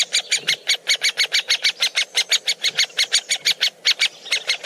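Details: Close-range woodpeckers while feeding give a fast, steady run of sharp, piercing chips, roughly three per second, continuing without pause for nearly five seconds.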